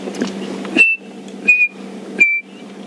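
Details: Chinspot Batis on a morning safari drive in the African bush on June 7, during the morning song chorus. It whistles three clear, pure notes, each dipping slightly, about one every three-quarters of a second, over a vehicle engine rumble.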